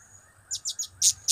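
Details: Blue-crowned hanging parrot (serindit) kept as a pet, voicing its cap-cap, kiak-kiak and crap-crap call styles: five short, shrill, very high chips, the last two louder and fuller, over a faint steady high hum.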